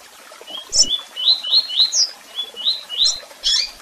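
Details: Double-collared seedeater singing its tui tui song: a run of about nine short, rising whistled notes, evenly spaced, opened and closed by sharper, higher chirps.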